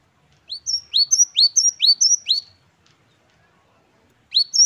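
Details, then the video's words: Great tit singing in the 'wucit-wucit kristal' manner, called gelatik batu wingko: a rapid run of about seven high, ringing double notes, each a sharp upward flick then a level whistle, followed by a pause and a new phrase. "Gelatik Batu Wingko Gacor | WUCIT2 KRISTAL | Great tit birds | Parus Major"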